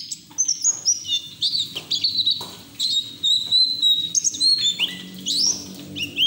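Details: Caged white-eye singing with open beak in full, continuous ngeriwik style, used as training audio to prompt other white-eyes to sing; high thin whistled notes, some slurred upward, in rapid varied phrases, with a faint low hum behind.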